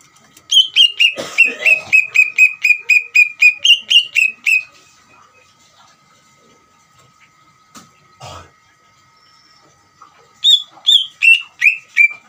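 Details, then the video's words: Greater green leafbird singing to provoke another leafbird to answer, a long rapid series of repeated whistled notes with a brief harsh rasp early on, then several seconds of near silence with faint clicks, then a renewed burst of descending whistles. "PANCINGAN CUCAK IJO GACOR UNTUK CUCAK IJO BAHAN BIAR EMOSI DAN LANGSUNG NYAUT"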